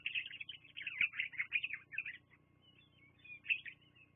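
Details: Bald eagle calling at the Fraser Point nest, caught by a live nest camera on 24 September 2022. A rapid, high-pitched chittering run of squeaky whistled notes is followed by a pause, then a shorter burst of piping.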